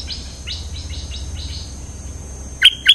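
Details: Cream-vented bulbul lure song: a run of short, bright rising notes repeated about twice a second, then two loud, sharp, higher notes near the end, over a faint low hum.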